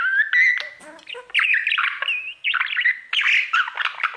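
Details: Pet male budgerigar serenading his mirror: whistled slurred notes mixed with harsh squawky chatter, delivered in three continuous bursts with brief breaks.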